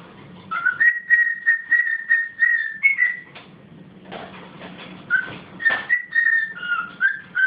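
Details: A pet cockatiel whistles the US Marine Corps Hymn in clear, steady notes near two kilohertz.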